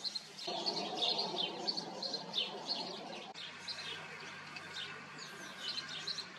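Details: House sparrows (Passer domesticus) chirp busily in a breeding colony, a steady jumble of short, bright, overlapping chirps over a low background rumble at first.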